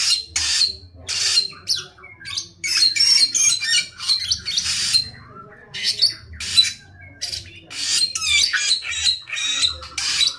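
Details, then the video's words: Samyong in full, vigorous song: a rapid string of loud, scratchy, squawking bursts mixed with brief whistled notes, delivered almost continuously with short gaps; a low background hum is audible. "burung samyong gacor"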